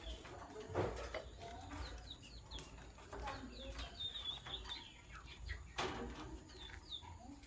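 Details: Sky blue opaline and green opaline lovebirds in the morning, giving quick high chirps and short rising-falling squeaks in loose bursts, with low clucking calls and dull knocks in the background.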